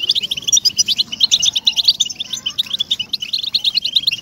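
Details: Captive-bird stimulator recording of European goldfinch song: quick succession of bright chirps and tinkling trills, about three notes per second in loose rhythm, steady and clear over a quiet background.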